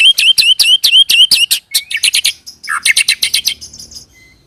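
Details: White-rumped shama rolling song played as a lure for other shamas; rapid series of sharp, high repeated notes about six per second, trailing into softer chatter and fading out.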